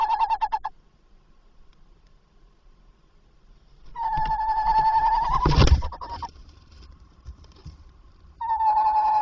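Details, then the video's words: Tawny owl calling at its nest box at 21:45 on 27 August 2024, arriving and soon leaving. It gives long, hoarse, wavering calls, and one of them is broken by a loud thump near the box. "Bosuil Roepend in de nestkast"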